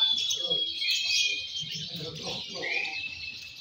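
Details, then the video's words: Young lovebirds, fighter-class M1 and M2 balibu, singing during a singing competition: dense, high, buzzy chattering with long steady whistled tones threaded through, while voices murmur low in the background. "Suara Burung Loverbird Fighter M1, M2 Balibu Saat Lomba"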